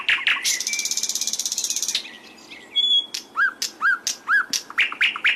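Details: Sikatan londo (flycatcher) singing energetically: a fast mechanical rattle, then a high whistled note and a run of short, bright downslurred chirps repeated about twice per second.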